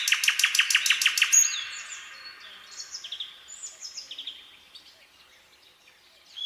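A nightingale opens with a fast, loud series of about eight repeated sharp notes, then breaks into varied high whistles and short trills against a quiet background.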